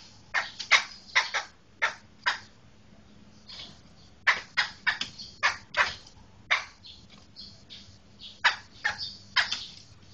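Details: Medan black laughingthrush delivering grating, broadband notes in uneven runs of three to five, separated by brief gaps, steady loudness throughout; low hum faintly present.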